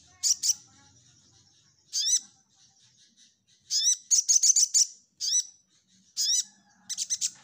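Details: Orange-headed thrush in active nyecret nembak song, used to train other birds: sharp high notes with falling hooks in spaced pairs, a rapid flurry of six clipped chips near the middle, then further spaced bursts.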